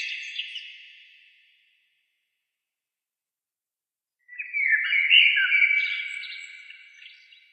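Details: Bird song heard for relaxation: a short burst of high twittering notes that fades away, a pause of silence, then a longer run of rapid warbled and trilled phrases, with no other sounds.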